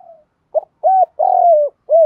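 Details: Spotted dove coo used to stimulate training birds: a clipped opening note, an arched hoot, a long wavering descending coo and a closing hoot, loud and clear with no background.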